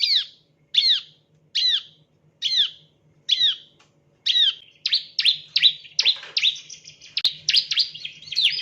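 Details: Bar-winged prinia (ciblek) chirp lure for training birds: six evenly spaced, sharp downslurred chirps, then a quickening string of buzzy chirps, with a soft low hum.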